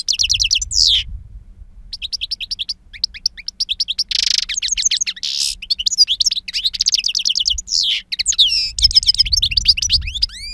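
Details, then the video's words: European goldfinch, a two-year-old bird with a powerful timbre and long calls, singing in the wild-song style: rapid, twittering, high bursts of chirps and buzzy notes, with short pauses, over faint low rumble. "Jilguero Reclamo Canto Silvestre Puro"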